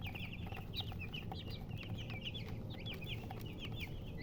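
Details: Baby chickens chirping: many brief high notes, some swooping up and down, repeated in quick, uneven clusters above a low background rumble.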